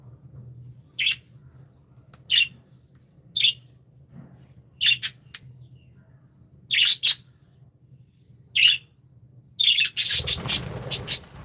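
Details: Happy pet budgies: short, sharp high chirps repeated every one to one and a half seconds, ending in a burst of rapid chatter mixed with rustling noise, over a low steady hum.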